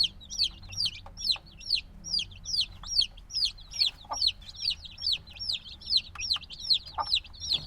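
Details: A brood of newly hatched black chicks, a few days old and still needing warmth, keeps up a continuous run of bright falling peeps, about two per second, with scattered soft clicks beneath.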